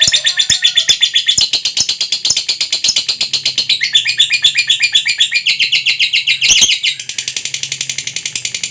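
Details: Lovebird in long ngekek trill, a lure recording to prompt other lovebirds: continuous high-pitched, rapidly pulsing chatter, about four notes per second, sustained without a break and changing tone partway through.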